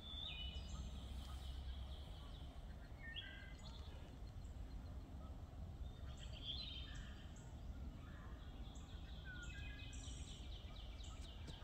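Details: Wood thrush (Hylocichla mustelina), song.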